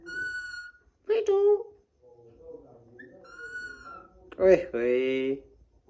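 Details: Green Alexandrine parakeet kept as a talking pet, mixing pure whistled tones, harsh raspy squawks and speech-like mimicked syllables, with a human voice and whistling also present.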